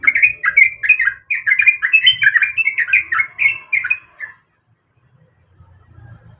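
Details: Sooty-headed bulbul, a female in breeding mood calling the male; a loud burst of rapid jumbled chirps for four seconds, then quiet with faint low rumbling.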